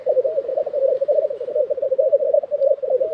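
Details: Throbbing, gurgling low bubbling from a black grouse lek in Tiveden, Sweden, April 2023, running unbroken from start to finish.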